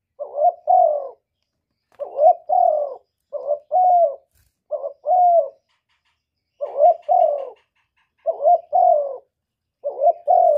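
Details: A spotted dove repeats its 'một hậu ròng' call about eight times, each phrase a pair of mellow, buzzy-edged coos, the second longer and falling, with regular short gaps between phrases.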